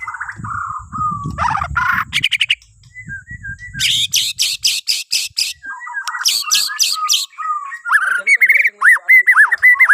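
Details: Borneo white-rumped shama in full morning song meant to prompt other birds: low whistles, bursts of fast harsh rattles, then ringing looped whistled notes repeated quickly, over a low rumble.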